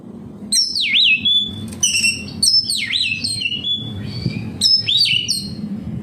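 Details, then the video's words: Lure song of an oriental magpie-robin (kacer) for captive birds: bright swooping whistles and clipped notes in short phrases, over a steady low hum of background noise. "Suara burung Kacer, cocok buat Pancingan Kacer bahan agar tambah Gacor"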